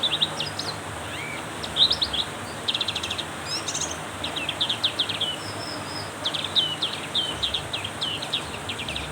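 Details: Heavy rain drives a Black-capped white-eye into energetic song: rapid bursts of high stuttering chirps and brief trills, nearly continuous, layered over a strong rain hiss.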